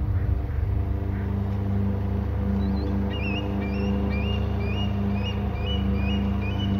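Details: Eagle calling near its nest, with both birds of the pair calling: a run of short, high, upslurred yelping notes repeated about twice a second in the second half, over a loud, steady low engine drone.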